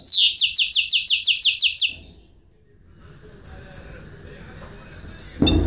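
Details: Song of a goldfinch hybrid: about eight bright, rapidly repeated downslurred notes in under two seconds, followed by near silence and a low knock at the end.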